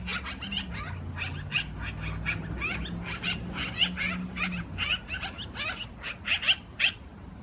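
Black-billed magpie giving harsh, scratchy chattering notes in quick, uneven bursts, with a low engine-like hum behind.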